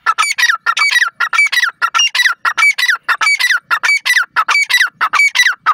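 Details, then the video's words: Grey francolin, called joshela teetar, giving a loud, harsh, rhythmic call series: grating squawky notes with bright overtones, repeated about one and a half times per second in tight, slightly irregular bursts throughout, with no other sounds. "joshela teetar sound, teetar ki voice, teetar birds ke awaz"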